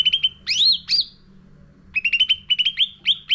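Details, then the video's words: Caged-bird training lure of a sooty-headed bulbul: a few quick chirps, two bright sweeping arched whistles, a short pause, then rapid repeated clipped notes at a steady pitch with sharp upslurred accents; low steady hum in background. "Pancingan Cucak Ranting Gacor Isian Full"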